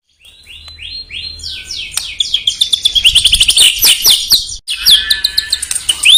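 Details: Song of the white-rumped shama (murai batu), used to provoke rival birds: a series of upslurred whistles builds into dense, fast, high chattering and trills that continue after a short break.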